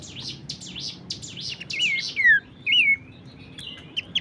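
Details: Horsfield's babbler training material: a rapid burst of high scratchy chirps gives way to loud whistled notes that slide downward and a rising-falling whistle, then scattered thin chips.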